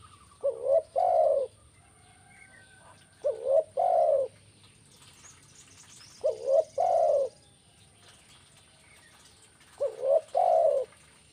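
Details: Spotted dove call meant to lure birds: four repeated phrases about three seconds apart, each a short hooked coo or two followed by a longer, even, mellow coo, with a quiet, steady background.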